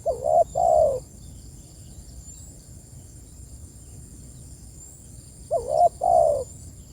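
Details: Calling its companions, a spotted dove utters two hollow coo phrases separated by about five seconds of near-silence. Each has a quick wobbling note, then a longer mellow one, against a faint constant high whine.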